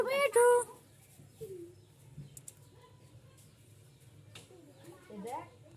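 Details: Indian ringneck parrot eating chocolate and talking: a loud, high, harmonic speech-like phrase at the start, followed by softer scattered syllables, light clicks and faint background noise.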